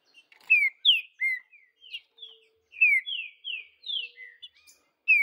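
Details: Green-winged saltator in the wild, whistling loud descending and rising slurred notes in two bursts of about four phrases each, separated by a brief gap of softer notes.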